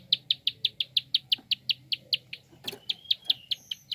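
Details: Prinia giving a fast clicking call, used to stimulate other birds to sing: sharp high dry clicks repeated about five times per second, briefly broken by a louder burst and a thin whistle near the end, over a low hum.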